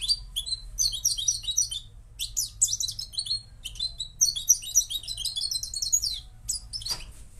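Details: Moroccan goldfinch singing: a fast, continuous twittering of high, thin, buzzy and tinkling notes in dense bursts, with short pauses between phrases and a faint low hum beneath.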